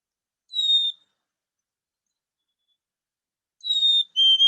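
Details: Black-capped chickadee, a friendly bird found in Ontario in winter and summer, gives clear, pure whistles: one high note, a pause, then a high note dropping to a lower one, the sweet 'hon-ey' phrase.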